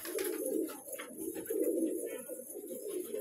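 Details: Several colourful pet pigeons cooing continuously: deep, rounded, throaty notes that rise and fall in overlapping waves, with faint hiss behind.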